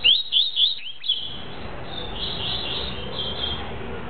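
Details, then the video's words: Double-collared seedeater singing the tuí-tuí song style: a quick burst of about four high, sharply rising whistled notes in the first second, then only faint, low-level background hiss and murmur. "COLEIRINHA TUÍ - TUÍ"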